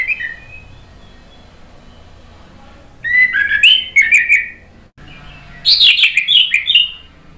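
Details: Orange-headed thrush song used to stimulate other birds into answering: two bursts of rich, warbled whistles and chirps separated by a short gap, over a faint steady hiss.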